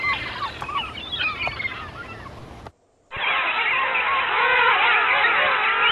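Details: Wild birds in nature: a few scattered whistles, a short silence, then a dense, continuous chorus of many overlapping wavering calls from numerous birds.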